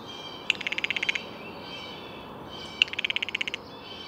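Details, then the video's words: Blue jay uttering two dry, rattling bursts of quick clicks, each starting with a sharp accent and lasting under a second, about two seconds apart. "Blue Jay Bird Calls"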